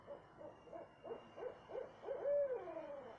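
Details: Owl at 2:30 am in south central Texas giving a string of short hoots that quicken, ending in a prolonged arching note that trails downward, over faint steady hum.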